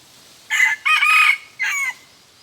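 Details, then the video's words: Red junglefowl decoy, crowing twice only. A loud three-part crow, short then long then short, harsh and buzzy with a slight fall at the end, over a low steady background hiss. "ต่อไก่ป่า ขันสองเทื่อเท่านั้น"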